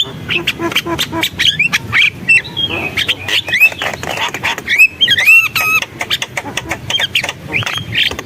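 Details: Vigorously singing Javan myna with a dense, busy medley of sharp clicks, rasping notes and quick bent whistles, pouring out without pause.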